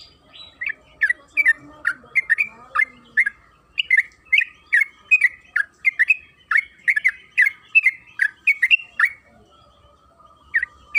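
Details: Yellow-vented bulbul, trucukan kebo, in long continuous lure song: a burst of rapid chirping notes builds and runs for about seven seconds, then stops, followed by a pause and a last pair of chirps.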